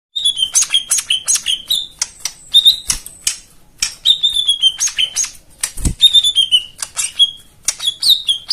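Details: White-eye song used as therapy to coax silent birds into singing: rapid high chirps and clicks mixed with short whistled notes sliding downward, repeated in quick bursts.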